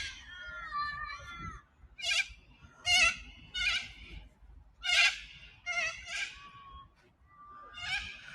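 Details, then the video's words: Corellas flying quickly past the Manly ocean front, giving loud, rasping screeches in a rapid run of about seven harsh bursts, some with a wavering upslurred start. "Those ones you're hearing just now, they're corellas."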